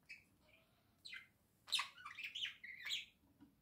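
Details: Two pet budgerigars indoors, one sitting in a small house with the other close by; a few soft scattered chirps, then a burst of scratchy warbling chatter with squeaky rising and falling notes for about two seconds in a quiet room.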